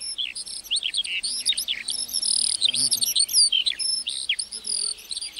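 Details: Continuous warbling of a lark over a meadow: dense, jumbled, high whistles and chirps racing along almost without a break, lively and varied throughout.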